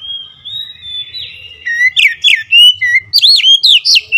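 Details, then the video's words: Agitated oriental magpie-robin song: a long, thin level whistle gives way to a rapid string of loud, looping whistled notes and sharp chirps, roughly four per second, over a faint low background murmur. "Kacer anda cepat ngamuk ngotot"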